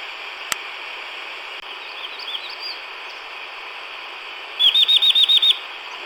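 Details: Chestnut-vented Nuthatch in montane forest of Chin State, Myanmar: after several quiet seconds of faint twitters and a click, a quick run of seven sharp, high downslurred notes, over constant low hiss.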